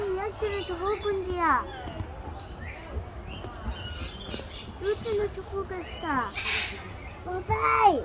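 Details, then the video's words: A lyrebird runs through a varied medley of mimicked calls: rich, harmonic notes that slur downward, quick rising sweeps and a harsh squawky burst, over a low steady hum. "Lyrebird mimicking different"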